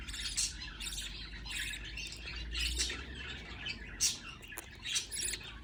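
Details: Young budgies begging as they are fed by a parent: repeated rasping shrieks, roughly one a second, some sharper peaks, with a steady low hum underneath.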